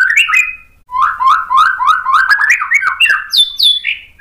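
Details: Fast, continuous warbling from a white-rumped shama singing to provoke rivals, with rapid slurred notes climbing step by step, ending in a couple of high clear whistles.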